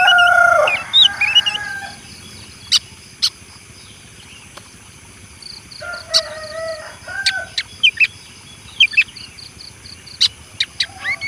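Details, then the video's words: Rooster gives a short, harsh crow at the start, then quieter stretches broken by sharp clicks, brief high chirps and a few low, cackling notes. "suara ayam jantan lucu kuukuuu..uueek..uueeeek..!!"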